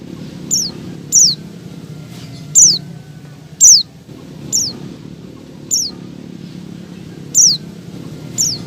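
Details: Oriental white-eye female in heat calling the male, used as a lure to coax kept males into opening their beaks and singing: about ten short, piercing, downslurred whistles, roughly one a second, over a faint low hum.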